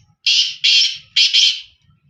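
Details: One short phrase from a black francolin: three or four broad, harsh, buzzy notes in quick succession, the last two nearly joined.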